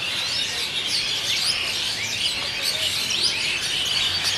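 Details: Asian Pied Starlings massing at their evening roost site in Kolkata, India, captured on a Nikon D3200; a rapid jumble of squeaky, rising and falling whistles and chirrups from many birds at once.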